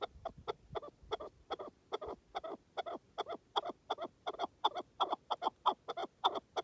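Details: Partridge heard in wilderness, repeating clucking notes at a moderate, somewhat uneven pace, roughly three per second. The notes grow slightly louder toward the end over a quiet background.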